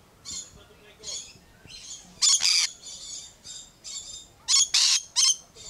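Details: Lorikeet squawking at Lion Country Safari in Florida: shrill rasping squawks, soft at first, then loud paired bursts around the middle and near the end, with quieter chatter in the gaps.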